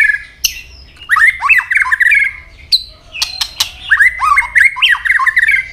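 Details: White-rumped shama fighting song with tail snapping: a rich, rapid warble of looping whistled notes and chattering phrases, broken by sharp dry clicks, sung almost without pause.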